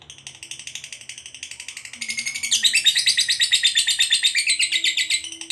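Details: Lovebird's provoking long trill in 'ngekek' style: a quieter chatter at first, then from about two and a half seconds a loud, fast, high ticking roll repeated evenly to the end.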